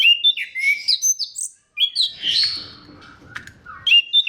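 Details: Singing orange-headed thrush, a recording used to set other thrushes singing: quick jumbled whistles and chirps, a brief pause, a scratchy buzzy passage, then more bright whistled notes.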